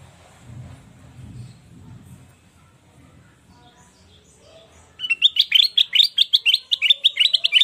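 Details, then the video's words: Energetic sooty-headed bulbul song used as a lure and tutor for other birds: a few seconds of faint low rumbling, then a rapid burst of repeated, bright upslurred whistles. "Suara burung kutilang Emas gacor//untuk pancingan dan masteran"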